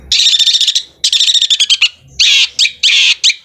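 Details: Long-tailed shrike singing in bursts of rapid rattling notes, followed by loud harsh buzzy screeches and quick slurred chips.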